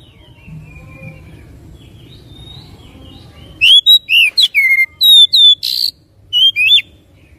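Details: Song of an oriental magpie-robin used to get another bird singing: after soft distant twittering, a loud sequence of varied whistles begins, with sliding, arched and rising notes and one harsh burst.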